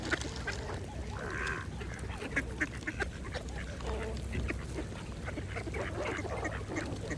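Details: Mallard ducks feeding at a pond give occasional quacks and a brief raspy, noisy burst early on, with soft dabbling and pond ambience throughout.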